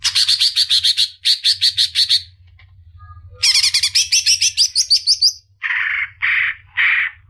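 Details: Cucak ijo, or greater green leafbird, in song meant as masteran training material: two bursts of rapid, high chattering notes, a quiet gap, then a rising trilled phrase, followed by three harsher, lower buzzy notes spaced about half a second apart.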